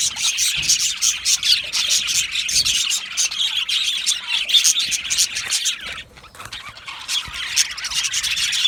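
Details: Australian budgies of a colony chirping and singing happily: dense, fast twittering with frequent short chirps, a brief quieter lull near the end before the chatter resumes.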